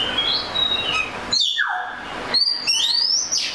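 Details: Oriental magpie-robin song: a clear whistled note held steady, a sharp slide downward, then rising whistled phrases near the end, with a faint hiss under it all.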